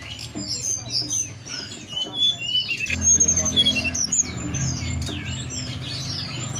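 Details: Mountain forktail (tledekan gunung) song as a lure for singing and breeding condition; a fast run of high chirps and short down-slurred whistles, roughly three to four a second, over a low rumbling hum.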